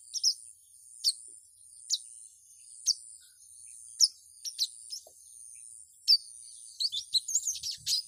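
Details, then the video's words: Female ruby-cheeked sunbird calling to a male: sharp, high single chirps repeated about once a second, ending in a quicker twittering burst. "SUARA SOGON BETINA MEMANGGIL JANTAN"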